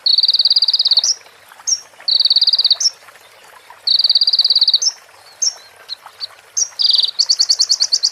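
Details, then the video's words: Konin, or crimson sunbird, singing a training-recording full of prinia imitations: repeated high, level, buzzy trills about a second long, separated by sharp upslurred chips, ending in a faster, broader pulsing trill. "MASTERAN KONIN FULL ISIAN PRENJAK BETINA SAMBUNG CIBLEK BREN JERNIH JEDA ORIGINAL DARI SUARA KONIN !"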